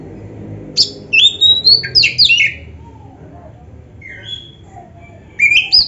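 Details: Oriental magpie-robin in a training recording: scattered loud whistles and squeaky slurred notes, a few softer notes in the gap, and a renewed bright whistle at the end.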